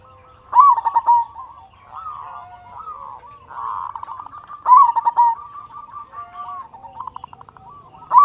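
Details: Strong-voiced local zebra dove from Indonesia, singing to stimulate quiet doves. Soft arched coos alternate with loud rapid rattling bursts ending in a bright note, repeated about every four seconds.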